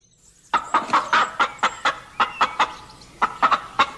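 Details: Farm hen giving a series of sharp, clipped clucks, about a dozen short bursts spaced irregularly, some in quick pairs, after a brief quiet start.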